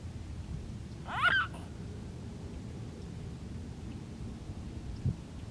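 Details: Mute swan giving a single short, hoarse, harmonic call that rises and then falls, lasting about a third of a second, followed by quiet background hum and a faint knock near the end.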